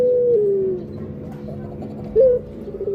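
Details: Barbary dove giving the falling tail of a coo, a quiet pause, then a short sharp note and the opening of the next phrase.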